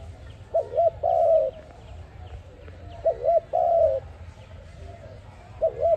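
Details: Dove of the kind called ARIMIX, a lure sound for trapping. Three coo phrases about two and a half seconds apart: two short arched notes, then a long, gently falling coo. The last phrase is cut short.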